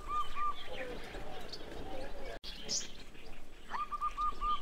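A zebra dove gives short runs of soft, rounded, evenly spaced cooing notes at the start and again near the end, over steady background hiss and murmur.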